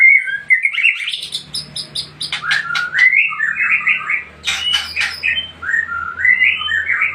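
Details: White-rumped shama of the Aceh Tangse type singing a rich, varied run of clear whistled phrases, slurred rising and falling notes mixed with rapid buzzy trills and sharp high chips, delivered almost continuously with a faint low hum beneath.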